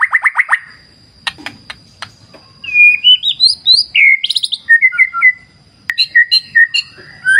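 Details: Murai batu, or white-rumped shama, beside a clear river in wild nature: quick rhythmic stuttered notes, a pause with water rushing and clicks, then a rich sequence of fluty rising whistles and short chirped phrases.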